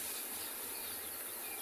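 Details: A second wave of a huge flock of Red-billed Queleas, perhaps a thousand or a few thousand birds, arrives in an afternoon at a South African game reserve as a dense, steady rushing hiss of wings and massed chatter, with no single voice standing out.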